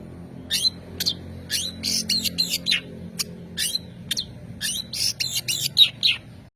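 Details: Singing long-tailed shrike gives scattered sharp clicks and scratchy buzzy bursts, some with a thin whistled tone, irregularly spaced over several seconds.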